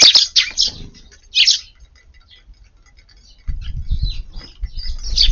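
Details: Sparrows visiting a garden for a lunchtime meal on 3/9, eating busily; a few bright, high chirps open the recording, followed by a quiet gap, then low thumping and rustling from the feeding birds.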